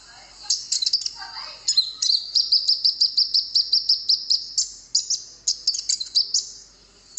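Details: Konin, or golden-bellied gerygone, on a recording meant to draw replies from wild birds. High, sharp chirps lead into a fast run of evenly repeated thin notes, nearly three per second, then more scattered chirps.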